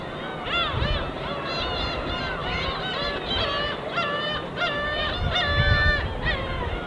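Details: Gulls flying as a flock above the East Sea in winter give loud, clear, repeated yelping cries, several birds calling at once with bent, wavering notes every second or so, over soft surf and low wave wash.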